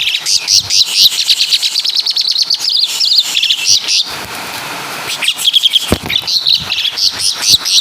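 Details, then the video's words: Asian pied starling from Java imitating caladi and kapas tembak: quick rhythmic chirping phrases, a brief hissing lull in the middle, then clear ringing whistles and renewed chatter. "Burung Jalak Suren Full Suara Kapas TembaK"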